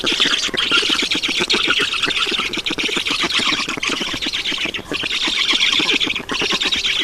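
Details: Feeding at a Black stork nest in Estonia on 7 June 2019, afternoon at 16:18. A steady chorus of rapid, scratchy squeals and squawks, pulsing quickly, with brief dips near the fifth and sixth seconds.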